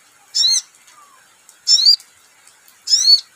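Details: Sogon, or crimson sunbird, answering a lure recording with three separate short bursts of very high, sharply hooked, metallic notes, spaced roughly a second apart.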